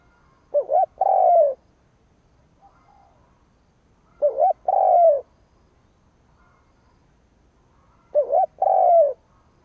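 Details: Spotted dove decoy cooing to provoke rival birds, three phrases spaced about four seconds apart, each a quick double note and a longer falling coo, quiet pauses between.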